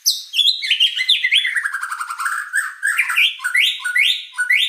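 White-rumped shama in full song: rich, varied whistles, a rapid descending trill of chips, then bright rising and falling phrases repeated every half second.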